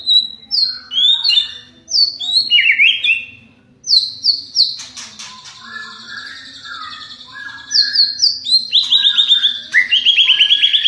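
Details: Caged champion white-rumped shama singing to provoke other shamas into responding; clear high whistled notes in quick stepped runs, rapid repeated trills toward the end, short pauses between phrases, faint background hum.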